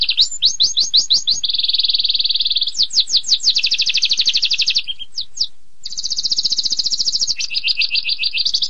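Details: Canary singing a long song: rapid downslurred chips, a sustained buzzy high roll, more chip series and rolling trills, with a brief pause midway.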